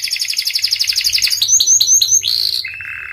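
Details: Panda-coloured canary in full song: a very rapid trill of repeated notes, then a few sharp high downslurred whistles, a rough burst and a lower buzzy note to finish.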